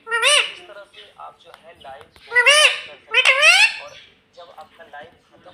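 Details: Caged pet rose-ringed parakeet imitating the word "mummy": three loud, nasal, bending syllables in quick succession, with quieter murmured chatter between them.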